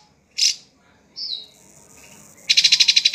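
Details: Drongo gives one harsh chirp, then a buzzy descending note, and ends with a rapid, evenly pulsed rattling trill.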